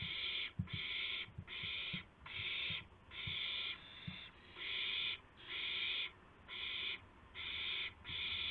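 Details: Owl before dawn, 2:51 AM, 2 April 2016, during a gopher food delivery between mates; repeated hoarse, hissing screech bursts about once a second, with soft knocks and rustles in the background.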